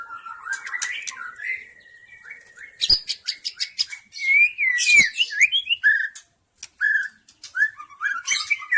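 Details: Wild white-rumped shama in forest, recorded as a lure to draw shamas: soft warbling, then loud sharp clicks and sweeping whistled phrases, a short silence, and more varied notes.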